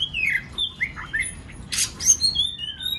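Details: Multi-voiced white-rumped shama song used to excite other birds to sing: slurred downward whistles, a harsh rasping burst in the middle, then rising and falling high whistles.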